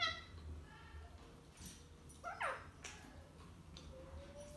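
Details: Two ringneck parrots arguing trade nasal, whining notes and one quick swooping squawk over a few seconds, with a low room hum underneath.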